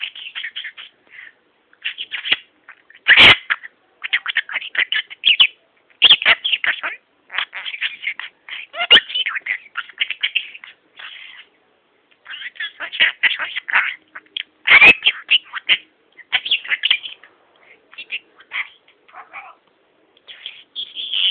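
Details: Pet talking budgerigar that speaks Armenian, chattering in a rapid, scratchy warble of high squeaks, clicks and mumbled phrases.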